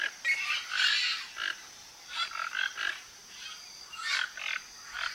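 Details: Flock of Toco toucans searching a Brazilian backyard's surroundings for fruit; rough grating croaks, some in quick doubled bursts, over a constant high-pitched insect drone.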